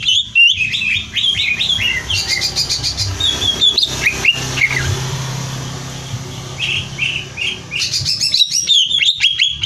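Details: Greater green leafbird song used as training material for song competitions: loud, varied whistled phrases and rapid chattering notes, with sharp clicks and a low steady hum underneath.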